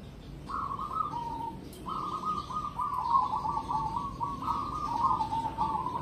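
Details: A competition-class cemani zebra dove sings a long run of rolling, stuttered coos, a steady mid-pitched purring phrase that rises slightly, pauses, then repeats almost continuously, set against faint low background noise.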